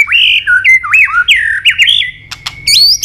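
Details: White-rumped shama training song, long strings of varied forest-style phrases: loud clear whistles that slide up and down in quick succession, then a short gap with sharp clicks and a final rising whistle.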